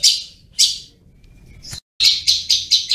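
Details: Long-tailed shrike in chatty ngriwik-style song: two rasping high bursts, a pause, then a quick run of four or five scratchy notes after a brief dropout.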